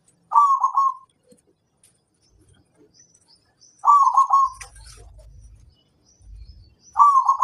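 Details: Local zebra dove cooing, used to provoke other birds into answering: a loud, rolling, trilled coo lasting under a second, repeated about every three seconds, with faint high chirps and brief low rumbling between phrases.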